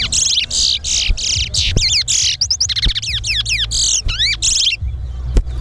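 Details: A chestnut-bellied seed finch (towa towa) in a whistling competition in Guyana sings a fast, continuous run of bright whistles, trills and down-slurred notes, high and varied, while its song notes are counted aloud, with a low background hum.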